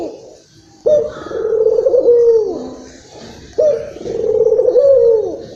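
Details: Barbary dove, a local bird, calling to stimulate other doves: two drawn-out, low, throbbing coos begin abruptly and fade with a downward slide, spaced about three seconds apart, in a small room.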